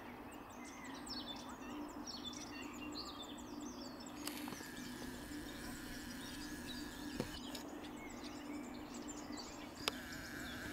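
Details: Barn swallow (Hirundo rustica) song in Strunjan Landscape Park on 22 April 2023: twittering in quick, high chirps and trills, busiest in the first few seconds, over a steady low hum and outdoor background noise.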